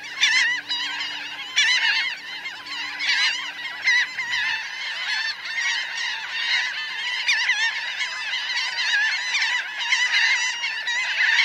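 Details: About 1000 Laughing gulls on the ground and in flight make a loud, steady din of overlapping nasal calls, with bursts of sharper, louder cries every second or two and a faint low hum early on.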